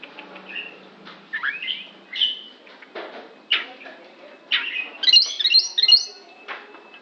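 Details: Oriental magpie-robin making an unusual sound: scratchy and slurred notes mixed with short clicks, then a run of quick high squeaky notes, over steady background noise.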